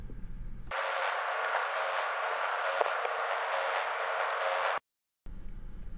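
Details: Male Chilean Woodstar, an endangered hummingbird, in thick bushes of the Atacama desert in far northern Chile in September 2010: real-time shuttle display wing sound, a steady buzzy hum pulsing several times a second for about four seconds, quiet before and after.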